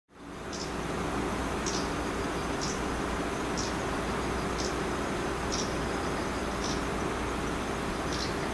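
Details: Japanese Leaf Warbler, unseen, in dense trees across an irrigation canal a few metres away at lotus fields in Iwakuni, Japan, on 29 September 2020 during autumn migration, gives short, high, buzzy "jiji" call notes about once a second over low rumble; identified by voice and season.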